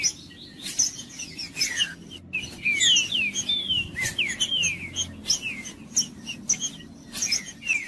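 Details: Warm-up song of a green-winged saltator for a cold bird: dense downward-sliding whistles in quick succession, with high twittering notes, clicks and a soft low rumble.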